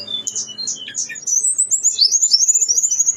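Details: Blue-winged leafbird (tledekan gunung) in strong song with its full set of fill-in phrases: a few short chirps and squeaks, then a long, fast series of high rising-and-falling whistled notes.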